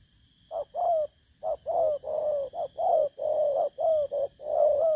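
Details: Spotted dove in the 'thổ cấn bầu' coo style: mellow, low cooing phrases, each a short note followed by a longer, slightly falling one, repeated steadily, with a faint steady hum behind.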